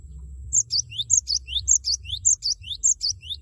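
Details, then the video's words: Loud 'wucit wucit' song of a cinereous tit, played to prompt a rival to sing: a steady chain of about six high, ringing three-note phrases, each a clear chip and a swooping slur, about two per second. "Gelatik batu gacor suara lantang wucit wucit merangsang lawan agar ikut bunyi gacor"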